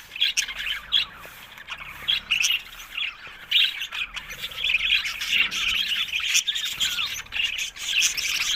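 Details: Budgerigars calling with short, bright chirps and squeaks in bursts, separated by brief quieter gaps, over a soft background of chatter.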